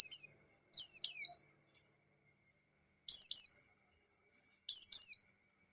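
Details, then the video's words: Kept white-eye song used to provoke a rival bird into full singing: four short, high, sharply falling twittering phrases, two close together, then two more spaced over a second apart, clean background. "Pleci Ngalas Standar Memancing Lawan"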